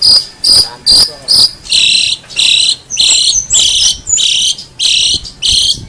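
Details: Long-tailed shrike master recording for tutoring songbirds: about ten harsh, buzzy rasping notes, each roughly a quarter second long, repeated nearly twice a second. The first few are thinner and the later ones fuller and more grating.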